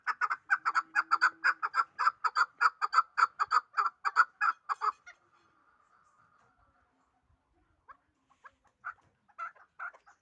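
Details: Hybrid fighting chukar partridge giving a loud run of short, clipped 'chuk' notes, roughly two per second for about five seconds, then falling to a few scattered quieter notes with a brief steady tone between.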